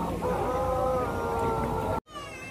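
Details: Sustained, level harmonic crowing from a Pelung chicken at the Banyumas crowing contest, a durian agritourism site in Karangrau village, Indonesia; the drawn-out note holds steady for two seconds before a cut.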